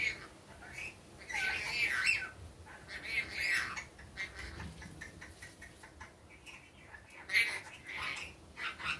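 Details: A pet rainbow lorikeet in the daytime chattering with repeated scratchy, screechy notes, a louder run around two seconds and a sharp squawk near seven seconds, over steady faint background noise.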